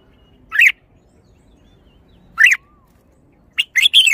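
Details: Red-whiskered bulbul producing two separate slurred whistles, then a hurried burst of three or four chirpy, bright notes at the end.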